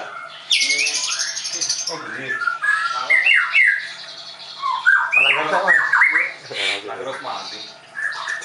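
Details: White-rumped shama at a Tangerang bird school; loud buzzy opening followed by varied chattering, whistled and rattling phrases with short quieter gaps.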